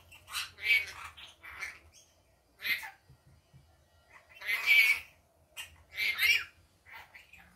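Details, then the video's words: Rainbow lorikeet calling by day, a loud series of harsh, grating screeches and squawks in uneven bursts. Some come in quick clusters, others are separated by short silences. "Rainbow Lorikeet daytime"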